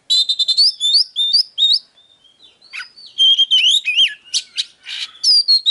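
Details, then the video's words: Oriental magpie-robin song used to stimulate other magpie-robins: quick repeated high whistled phrases with rising slurs, a brief quieter pause with soft notes, then another rapid burst of sweeping whistles and sharp chips. "Chòe than HÓT - DÉO Kích bổi Ức chế"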